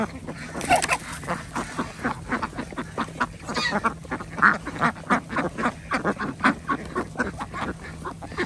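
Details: Ducks being fed on an organic village farm in Andhra Pradesh, where chickens and geese are also kept; rapid, uneven runs of loud nasal quacks, some calls higher and sharper, over a faint steady hum.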